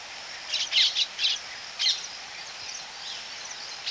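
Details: Close-up Baya weaver calls at a colony: a quick run of bright, high chirps in the first two seconds, then quieter scattered twittering from other birds.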